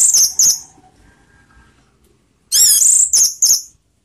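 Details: Orange-headed thrush singing 'teler' style, used as a lure to stir emotion and breeding urge: two clusters of sharp, very high twittering notes with a near-silent gap of about two seconds between them.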